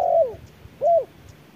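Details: Spotted dove calling during a noon fight with an electronic decoy in strong sun. Two clear coos, the first drawn out and sliding down, the second a short arched note, separated by quiet.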